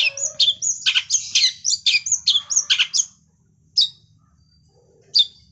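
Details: Long-tailed shrike singing lovebird imitation joined to kapas tembak: a quick run of sharp, high chirps for three seconds, then a pause broken by two isolated squeaky notes.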